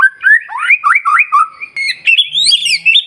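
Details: Fast, varied song of a white-rumped shama, used to provoke other shamas to sing in the morning: tumbling whistles climbing into higher, shrill sweeping notes toward the end.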